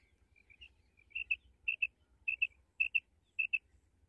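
A female common quail gives soft, high, paired notes, each pair about half a second apart, over a faint low rumble.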